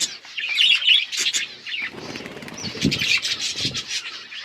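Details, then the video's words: Budgerigars chatter in quick, scratchy, high-pitched chirps and warbles that overlap, with low fluttering and rustling underneath. "Budgies chirping sounds"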